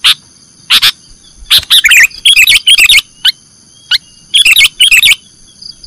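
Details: Kutilang, or sooty-headed bulbul, singing nggaruda-style phrases for training caged songbirds: sharp single chirps alternating with quick bubbly runs of warbled notes, separated by short pauses over a faint constant whine.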